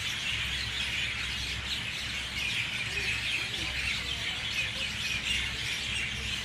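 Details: Mynas in a loud dawn chorus at 6:20 a.m., many birds chirping, squawking and whistling at once in a dense, unbroken wash of sound that holds steady throughout, with a faint low rumble beneath.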